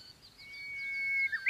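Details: Japanese bush warbler heard after rain on 19 May 2020. A sustained whistle grows slowly louder, then ends in two quick, abrupt notes that break off at the end.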